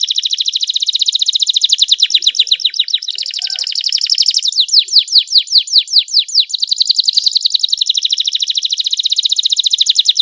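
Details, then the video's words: Canary singing a long, clear, elaborate rolling song used to prompt reluctant canaries to sing; dense rapid trills of high notes, with fast sweeping phrases in the middle, continuous throughout. "KENARI GACOR ngeroll panjang cengkok mewah suara jernih buat pancingan kenari males bunyi"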